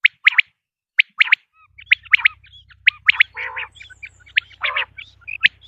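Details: Common quail call: clipped three-note phrases, one note then a quick pair, repeated about once a second, then a busier stretch of high pips and two lower, rough calls over a faint low hum.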